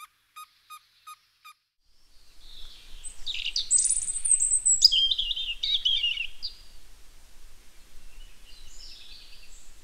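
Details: Robin vocalizing: after five evenly spaced electronic beeps, a burst of high, jumbled chirps and warbled twitters rises and falls over several seconds, fading into softer distant twittering against a steady hiss.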